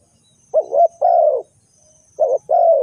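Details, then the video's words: A spotted dove gives low, hollow coos in pairs: a short broken note, then a longer smooth coo, with the pattern repeating after a brief pause. "The Sound Of A Spotted Dove is very good"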